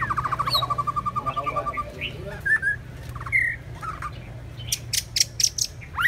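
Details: Singing white-rumped shama, one of a pair: a fast, even rattling trill opens, followed by scattered clear whistled notes and a few sharp high ticks, with a low background hum throughout.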